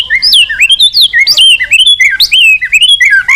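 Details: White-rumped shama song for stimulating other birds to sing: loud, continuous, richly varied whistled phrases leaping up and down in pitch with hardly a pause.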